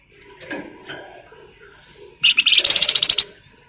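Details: Flamboyan bird song used as a lure to get other birds singing: faint low chirps, then a loud, rapid, even series of about a dozen sharp high pulsed notes lasting around a second.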